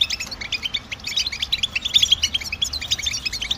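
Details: Short burst of goldfinch stimulating song: bright, rapid chirps and ringing high notes tumbling together in a steady, busy twitter.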